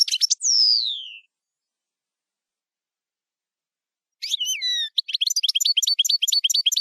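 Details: European goldfinch delivering camper song: a buzzy falling slur, a long silence, then whistled sliding notes and a quick run of high repeated twitters.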